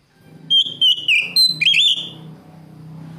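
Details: Oriental magpie-robin song aimed at a rival: a quick series of bright whistled notes, some steady and some rising, over a low murmur of background noise that continues after the phrase ends.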